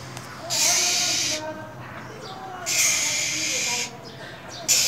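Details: Female than songbird in cold winter, giving harsh hissing calls to stimulate males to sing: three loud, rasping bursts of about a second each, separated by quieter gaps, over a steady low background hum.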